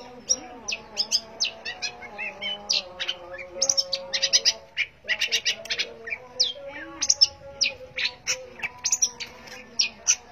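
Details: Long-tailed shrike pouring out a dense, chattering song of rapid high notes, varied buzzy clusters and short whistles, barely pausing, over a faint background drone.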